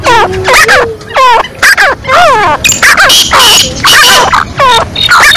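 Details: Lively 'masti wali' calling of a female black francolin: loud, wavering whine-like notes that bend down and up, roughly two each second in an irregular run, with a few overlapping calls.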